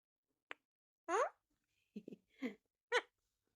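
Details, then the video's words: Parrot giving five short, harsh, harmonic squawks and clicks spread over three and a half seconds, some notes rising sharply, in a quiet indoor setting. "Parrot Sound"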